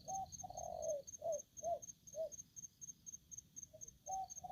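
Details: Loud, aggressive spotted dove cooing: a long drawn coo followed by a run of short, low, evenly spaced coos, then a pause and another coo, with faint cricket chirps behind.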